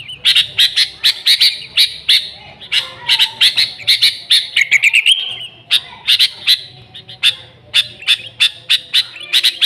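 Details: Lively, noisy sooty-headed bulbuls used as a lure: a dense run of quick high chirps, a brief falling slurred whistle near the middle, then more rapid chirping.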